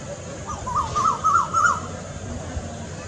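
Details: Second call type of a cuckoo: four or five quick, rippling, upward-swinging whistles strung together in about a second, with a steady low background hum.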